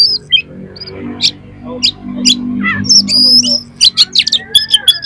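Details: Oriental magpie-robin delivering harsh, rough fill material to rouse another magpie-robin: spaced squeaks and rasping notes, high whistles, then a fast chattering run of sharp chips, with a low humming background.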